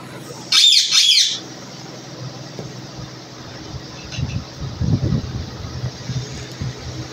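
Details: Rose-ringed parakeet, also called Indian green parrot or ringneck parrot, a kept talking mimic: two harsh, loud, high squawks in quick succession in the first second and a half, then low rumbling noise and faint murmurs.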